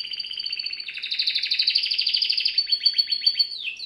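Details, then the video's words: Canary song for bird training, Serinus canaria: a continuous rapid trill of high repeated notes that shifts pitch midway and ends in quicker falling slurred notes. "Bird song | Canary singing| training bird | best canary | Serinus canaria"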